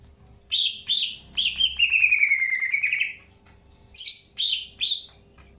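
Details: Greater green leafbird during early pairing, in captivity: two sharp whistles, then a long trilled phrase falling and rising for about two seconds, followed by a harsh note and two more clear downslurred whistles.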